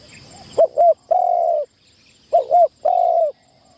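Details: On its first training outing as a trapping decoy in an enclosure, a spotted dove sings two phrases: a pair of short rounded hoots, then a long, even, mellow coo.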